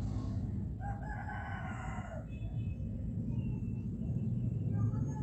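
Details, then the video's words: Hens eating rice and fighting over the food: one drawn-out, harmonic squawk rising then falling, followed by softer scattered clucks, all over a heavy low rumbling background noise. "Natural sound of Hen"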